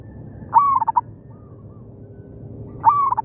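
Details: Zebra dove, a local bird in an oil palm plantation, answering a decoy: a loud rising coo breaking into quick stuttered notes, a faint reply, then another loud phrase starting.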